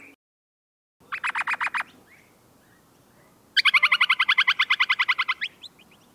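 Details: Noisy miner calling in two bursts: a short run of six harsh notes, then after a pause a longer, faster chattering run of about twenty ringing notes that fades out with a few stray chips.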